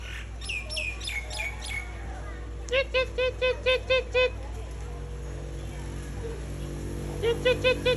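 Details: A myna gives a quick run of six or seven nasal, harmonic notes, a few falling whistles, then another short burst, apparently calling its partner to stay nearby; faint background hum.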